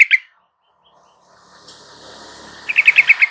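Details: Yellow-vented bulbul sound played as a lure to get a reluctant, silent caged bird to sing: a couple of sharp chips, a quiet hiss, then a fast series of six bright clipped notes.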